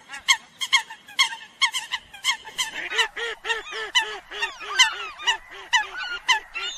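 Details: Eurasian coots calling the flock: rapid honking notes from several birds, thickening into an overlapping chatter, joined halfway by a steady series of lower, rounded notes repeated about three times a second.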